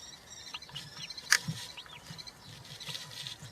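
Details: Nest of European rollers with three chicks, filmed by a live camera on 20 June 2023 as one receives a giant grasshopper; soft arched chirps repeated unevenly, one loud click midway, steady low rumble underneath.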